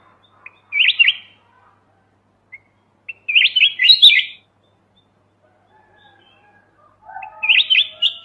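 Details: Clean song of a mountain red-whiskered bulbul used to lure birds into traps: three separate bursts of quick, bubbly whistled notes spaced roughly three seconds apart, with silence between.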